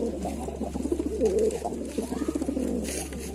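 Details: Lalsara pigeons make short, gurgling coos in quick succession, with a faint high rustle near the end and a continuous low hum.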